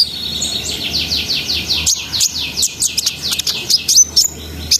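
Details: Brown-throated sunbird song for raising breeding arousal: a fast run of descending whistled slurs repeated about five times a second, then scattered sharp high chirps and ticks.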